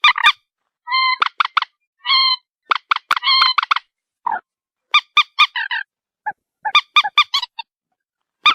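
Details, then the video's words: White-breasted waterhen giving loud, honking calls, some held longer and flat, others clipped and repeated in rapid runs, with pauses of about a second between bursts. "morhen bird shound (ডু্ঃখোর পাখির ডাক)"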